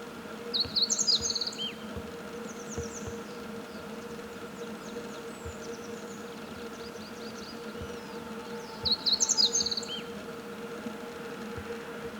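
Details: Meadow bunting singing: two brief, fast, high twittering phrases of sharp chirps and trills, roughly eight seconds apart, with faint scattered high notes between, over a steady low hum.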